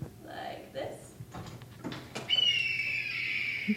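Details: A Red-tailed Hawk gives one long, hoarse, high scream that slurs slightly downward, often mistaken for a bald eagle, after a few seconds of a person talking in a room.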